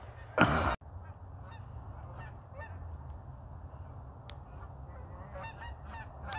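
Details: Geese flying back and forth over northern Idaho in early winter with no snow yet; a loud brief rushing burst at the start, then faint, widely spaced honks over steady low wind rumble.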